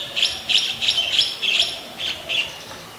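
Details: White-vented myna (Acridotheres grandis) recorded in Ubon Ratchathani, Thailand, on 18 January 2021: a rapid series of about seven sharp, high chirping notes, irregularly spaced over three seconds, with faint background hiss.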